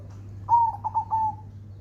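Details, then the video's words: Zebra dove cooing: a soft, clear note followed by a short series of stuttered, mellow coos that fade gently, set over a low steady hum. "burung perkutut gacor"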